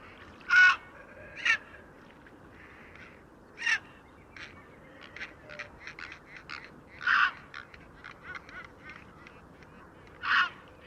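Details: Grey Heron calls at a heronry in February, herons gathering at their nests and shouting at each other to set the rules before nesting: loud harsh croaking squawks every few seconds, with softer scattered calls between.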